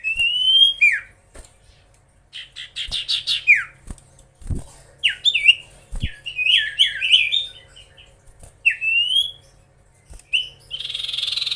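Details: Common iora, known locally as sirtu or cipoh, singing energetically to rile rival birds: varied whistled phrases, falling slurs and rising notes mixed with scratchy trills, separated by brief pauses and faint clicks.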